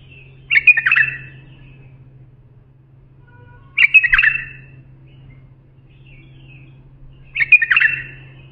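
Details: Bulbul singing phrases meant for tutoring young bulbuls: three rich, slurred warbling bursts spaced roughly three seconds apart over a constant faint low hum.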